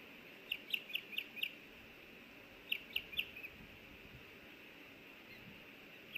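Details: Osprey pair at a Missoula, Montana nest in Hellgate Canyon, 24 May 2024, the male having brought a small fish the female wants to share: two short bursts of four to five thin, high whistled chirps separated by a pause.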